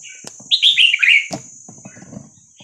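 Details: Vietnamese-type red-whiskered bulbul song, 3-4-5-6-7 style, played to train young birds and excite them: one rippling descending phrase of sweet whistles, with soft clicks, tapping and low rustling around it and a steady high hum.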